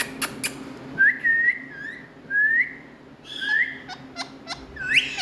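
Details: Pet talking Indian ringneck parrots whistle a series of clear, mid-pitched notes, each sliding gently upward, spaced about a second apart. Scattered sharp clicks break in and a low room hum runs underneath.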